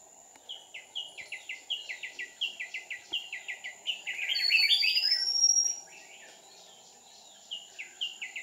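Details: Red-whiskered bulbul trapping at Kim Bôi on 7 May 2019: fast runs of short descending chirps about three per second, a louder burst midway with a rising thin whistle overlaid, then a pause and the chirps resume, over a steady high whine.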